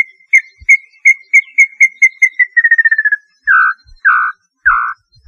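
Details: Small-billed tinamou song: a series of short clear whistles that quicken into a rapid run of notes, then slide lower into three longer, fuller descending whistles; a bird common in the Brazilian cerrado and north and northeast.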